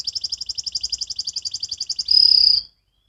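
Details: Young canary rehearsing the ngriwik song style: an even, rapid series of pulsed chirps, about four per second, ending in a strong, pure sustained whistle.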